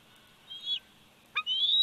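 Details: Bald eagle eaglet aged 104 days on the Big Bear Valley nest camera, 27 July 2019: a short, thin whistle that dips at the end, then a sharp click and a rising, sustained shrill whistle.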